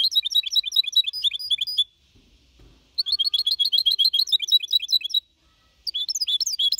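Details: Young goldfinch hybrid aged four and a half months singing clean Copia Malaga song, recorded in 2021. Three bursts of fast, high tinkling twitters, separated by two silent gaps of about one second each.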